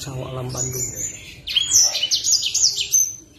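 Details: Kept black sunbird in top singing form, giving a quick burst of very high, thin twittering and sharp sweeping chirps in the second half. Low murmured speech comes first.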